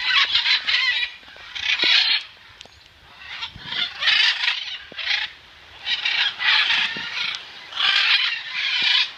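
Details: Rescued macaws at an animal sanctuary, playing and showering on a rainy day: harsh, raspy squawks in bursts about a second long, coming in clusters with short quiet gaps, several birds overlapping.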